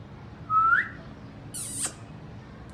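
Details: Indian ringneck parakeet chirping in its natural voice: a short, clear rising whistle, then a brief harsh, noisy screech a second later, over a low steady background hum.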